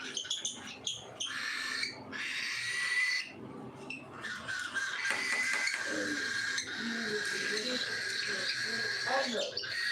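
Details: A flock of cockatiels calls during feeding time, with continuous high, piercing chirps layered into a buzzing chorus, broken by short pauses and a few sharp clicks.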